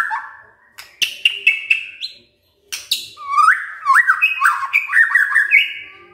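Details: White-rumped shama morning lure to get silent shamas singing: a low whistle, crisp clicking notes, a brief pause, then a lively run of looping, rising whistled phrases.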